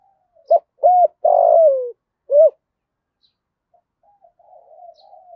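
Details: Spotted dove in the 'thổ cục đinh' voice, cooing to draw wild doves. One clean phrase: a brief note, a round coo, a long gritty coo gliding down, and a last arched coo. Soft low murmuring follows.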